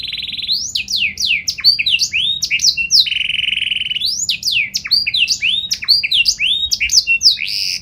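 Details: Lively canary song with showy phrasing, used to prompt other canaries to answer: quick swooping whistles in dense bursts, broken by a long low rattling roll midway, then more rapid up-and-down sweeps.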